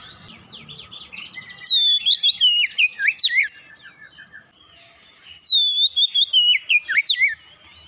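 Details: Oriental magpie-robin song used as a lure to get birds singing: two bursts of loud, varied whistled phrases with sweeping, downslurred and trilled notes, separated by a quiet gap of about two seconds.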